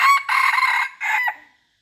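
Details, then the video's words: A rooster crows loudly and close by: a short opening note, then a long, strained, harmonic middle note and a shorter falling end. The call trails off into silence. "noob qaib poj qua zoo heev li"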